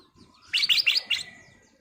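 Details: Kutilang emas, or sooty-headed bulbul, singing busily as a lure: a crisp phrase of four short, bright, bubbly notes evenly spaced over about three-quarters of a second, over a faint low hum.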